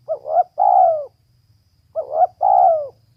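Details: Female spotted dove giving two identical three-part phrases in quick succession. Each is two short clipped notes and then a long, throaty, falling coo, about two seconds apart. A low hum sounds underneath.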